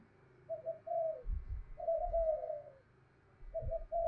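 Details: Spotted dove decoy cooing to entice other doves to answer. Distant, muffled coos repeat in short soft phrases over steady low rumbling background noise.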